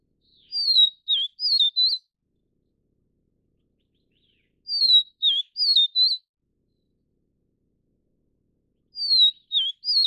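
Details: Call of a vivid niltava, Taiwan subspecies vivida, at a nest while feeding chicks: a short phrase of four thin whistled notes, the second dropping, repeated three times about every four seconds with silence between.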